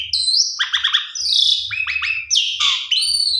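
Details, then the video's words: Javan pied starling lure song: an upswept whistle, a burst of fast stuttering notes, a rough buzzy stretch, then sharp down-slurred calls and a final pair of high whistles; low hum behind. "Jalak Suren PUNDUNG !! Coba Putar 1 Kali PANCINGAN Jalak Suren Suara ISTIMEWA Gacor Vareasi Komplit"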